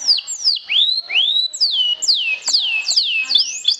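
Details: Canary lure song for provoking other canaries: loud, varied whistled slurs, some rising and some falling, delivered in an uneven rhythm of about two or three per second.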